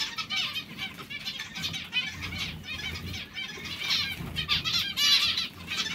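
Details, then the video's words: Hungry zebra finches keep up a dense, continuous chatter of short nasal calls, many birds overlapping, growing louder toward the end. "Zebra finches hungry"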